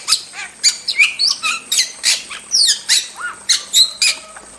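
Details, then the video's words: Wild starling pouring out a varied song of raspy chatters, rising whistles and short squeaks, delivered in quick uneven bursts. "Masteran Jalak Super Gacor – Ultimate Wild Starling Sound Effect"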